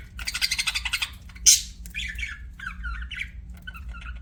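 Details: Pet budgerigars chirping indoors: a fast rhythmic run of harsh buzzy pulses for about a second, a sharp loud squawk, then scattered warbling chirps and short twittering notes, with a faint low hum behind.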